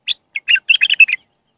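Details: Raw Iraqi bulbul in Mandali style, singing as a tutor for young birds: a brisk phrase of roughly eight bright, gurgling notes in just over a second.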